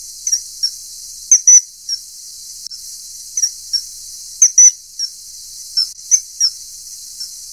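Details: Common kingfisher (Alcedo atthis) feeding a juvenile: short, shrill, high squeaky notes, singly and in quick pairs, at uneven intervals over a steady hiss.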